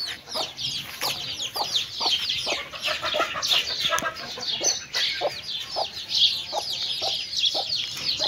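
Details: Chickens and chicks while eating, a mother hen with her brood: busy high-pitched peeping from many chicks and irregular soft clucking underneath.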